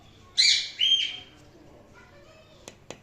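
A rose-ringed parakeet gives two loud, harsh, high screeches in quick succession, then falls quiet apart from two faint clicks.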